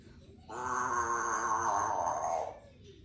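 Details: Female Congo African grey parrot, three years old and kept as a pet, making an interesting noise: one steady, droning, nasal tone held for about two seconds, rich in layered overtones, in a quiet room.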